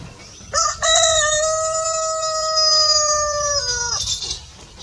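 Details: A rooster crowing at a chicken farm: one long, loud cock-a-doodle-doo of about three and a half seconds, a harsh, rich tone that holds steady and then drops sharply at the end, over quiet background.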